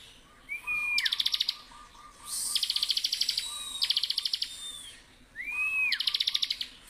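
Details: A lively Bar-winged prinia sings in the unbroken ngebren style used for training other birds. Curved whistles lead into long runs of quick, sharp, high repeated notes, with a soft lower twitter behind.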